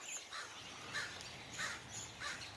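A crow gives harsh, raspy caws, repeated roughly every two-thirds of a second.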